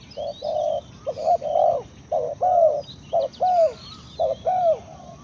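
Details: Spotted dove cooing outdoors, repeated phrases of short hollow notes each ending in a longer falling coo, roughly one phrase a second, with faint high chirps of other birds and steady background noise.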